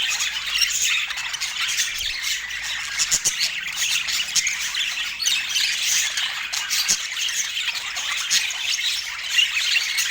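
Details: Budgerigars chirping in a dense, continuous high-pitched chatter of squawks and warbled chirps, with many overlapping notes and no pauses across the whole stretch.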